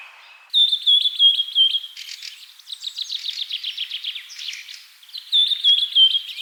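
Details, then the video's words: A bird repeats clear high whistled notes in a quick series, then breaks into a fast buzzy trill and scratchy twitters before the whistled series returns. "Bird sound"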